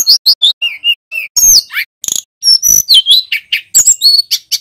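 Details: Vigorous male bar-winged prinia in full-voiced rolling song: quick repeated sharp chirps, whistled slurs, brief harsh buzzes and high twitters, delivered in rapid succession with short gaps and no background noise.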